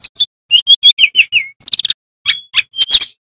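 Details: Male sikatan bambu flycatcher singing loudly, used to teach young magpie robins: a run of clear whistled slurred notes, a fast stuttering trill, then sharp high chirps and a thin whistle.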